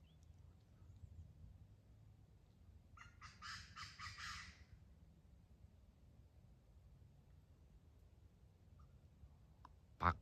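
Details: A wild Chinese francolin calling from a treetop in early July gives one loud, harsh, rapidly pulsed crow lasting about a second and a half over a low background rumble, followed by a sharp click.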